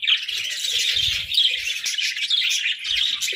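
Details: Busy, unbroken budgerigar chatter from several pet parakeets: many overlapping chirps, trills and squeaky warbles at a constant high pitch, with a few soft low bumps in the background.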